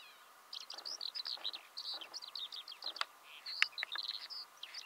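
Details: Eurasian skylark singing in Belarus in March 2016, early spring: a continuous, rapid stream of high chirping and trilled notes, varied and twittering, with occasional faint clicks in the background.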